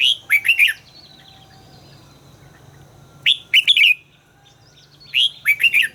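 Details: Red-whiskered bulbul in song training, giving three short, loud phrases of lilting whistled notes, each phrase a quick tumbling run of four or five notes, separated by pauses of about two seconds over a low hum.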